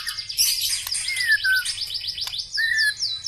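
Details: White-rumped shama, a black-legged bird, singing: dense high buzzy trills and rapid repeated notes, with clear slurred whistles falling and rising in between.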